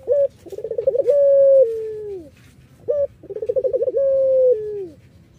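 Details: Irak collared dove, a variety prized as a lure for other doves, sings twice. Each song opens with a short note, bubbles into a fast trill and ends in a sustained, gently falling coo.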